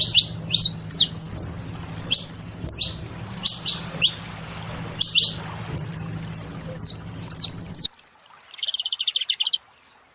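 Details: Saffron finches chirp in short, sharp, high notes spaced about half a second apart over a low hum. The sound cuts out abruptly near the end, leaving a brief, buzzy, rattling burst.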